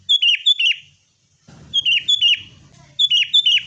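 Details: Sooty-headed bulbul lure song for caged birds: paired bright whistled notes with falling tails, repeated in three short bursts, with low rumbling noise in the background.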